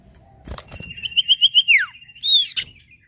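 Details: Sirtu bird singing to prompt other birds to sing: a run of short, clear whistled notes repeated quickly on one high pitch, then a falling slur and a bright upward-sweeping phrase, with faint fluttering and knocks.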